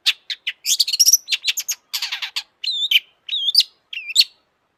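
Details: Long-tailed shrike in full, excited song, used as a lure to make other shrikes sing. Rapid harsh chatter and quick chirps give way to three distinct looping whistled phrases near the end.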